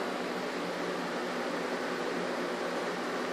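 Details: Constant indoor hiss like a fan or air conditioner, with no animal or voice.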